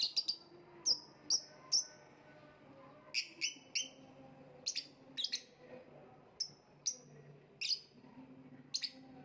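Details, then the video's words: A lovebird repeats short, piercing high calls, mostly singly or in pairs, about one or two each second, with brief gaps between. A quiet background hum is also present. "voice of lovebird / Lovebird kicau"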